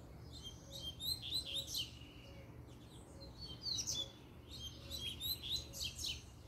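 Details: Double-collared seedeater song given as a challenge to fight: fast high chirps and sharp trilled notes in several close bursts, over a low constant hum and soft regular beeping.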